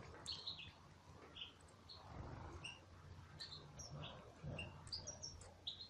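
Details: Aviary goldfinches: a sparse scatter of thin, high tweets and short slurred chirps, some doubled, with a steady low hum and occasional soft thumps beneath.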